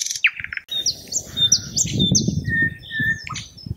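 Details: Singing thrush nightingale: clipped opening notes, then a string of rising chirps and buzzy tones with a few flat whistles, over constant low rumbling.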